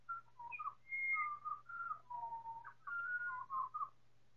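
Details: Pied Butcherbirds, four birds in a choir, slowed by time-stretching: a varied string of pure whistled phrases at several pitches, some held, some gliding downward, others short and overlapping, with a constant low hum beneath.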